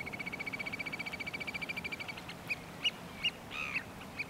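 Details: A leucistic Variable oystercatcher at Duder's Beach, Clevedon, New Zealand, on 23 October, gives a fast run of shrill piping notes, about eight a second, then slows to a few separate loud peeps over a low wash of background noise.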